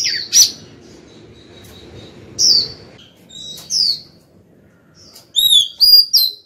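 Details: Female white-rumped shama singing to call the male: scattered high whistled notes over a soft background hum, ending in a quick series of clear rising and falling whistles.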